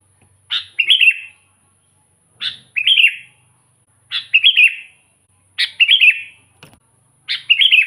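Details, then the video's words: Sooty-headed bulbul phrases for attracting wild bulbuls: a sharp opening note followed by a bubbly warbled trill, repeated five times at uneven intervals of about 1.5 seconds. "suara burung kutilang gacor full buat pancingan kutilang pikat"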